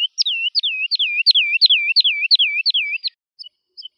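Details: Fast, regular woodlark phrase of liquid downward-curving notes, about four per second for three seconds, ending with a couple of faint short notes. Nothing else audible.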